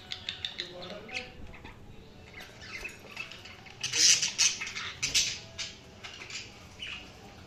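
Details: Budgerigars give quick, irregular high chirps and squeaky chatter, with a louder flurry of overlapping twitters in the middle.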